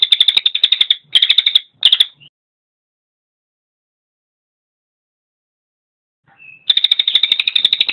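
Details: Cililin song as a training recording for songbirds: three quick runs of sharp chattering notes, a long silence with a faint thin whistle, then another rapid, dense chattering trill.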